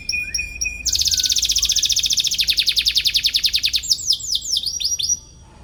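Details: Canary chirping as if seeking an opponent, meant to train young canaries: a few brief notes, then a long fast buzzy trill, then several down-curving notes before stopping.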